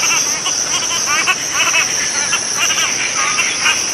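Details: Cotton pygmy-goose calling: bursts of rapid, cackling chatter with layered overtones come in short clusters, set against a steady, shrill insect drone high above.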